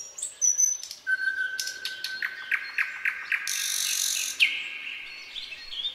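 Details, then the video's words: Common nightingale singing at night in forest: a long pure whistle, a run of accelerating sharp notes, a harsh buzzy burst, then a rising whistled flourish. "Incredible Nightingale Singing in the Night Forest"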